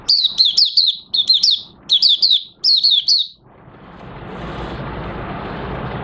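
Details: Caged Oriental white-eye in late August 2022, new white plumage almost complete, giving four short bursts of high, quick twittering notes before falling silent, leaving a low background hiss.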